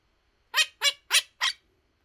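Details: Male pet Quaker parrot imitating animal noises like a pig's ONK ONK: four harsh, nasal honks spaced about a quarter second apart, the last slightly weaker, in a quiet room.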